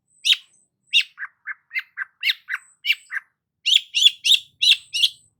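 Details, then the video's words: Lively Long-tailed shrike song mixing high harsh chirps with lower, shorter clipped notes, ending in a rapid cluster of scratchy calls. "BURUNG CENDET GACOR"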